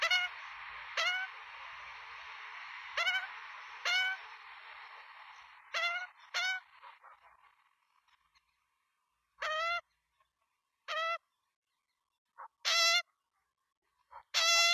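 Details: Australian magpie chicks in a Melbourne nest, filmed by nestcam at feeding time on 23 September 2022, beg for food with short, harsh, harmonic squawks in uneven bursts, about one every two seconds, over a steady hiss that fades halfway.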